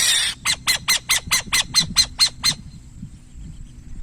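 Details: Burrowing owl opens with a breathy hiss, then gives about ten rasping squawks in fast succession over two seconds, over a low rumbling background.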